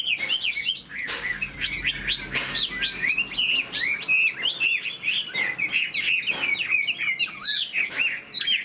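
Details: Caged Chinese hwamei kept as a songbird, fanning its tail and flicking its wings while singing: a rich, fast run of looping whistled phrases, constantly sliding up and down, with sharp clicks between them.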